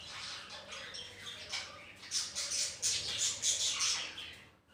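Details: Home colony of budgerigars kept with ring-necked parakeets, producing rapid, scratchy high chirps and warbled squawks in quick pulses, growing louder toward the end from a crowd of birds.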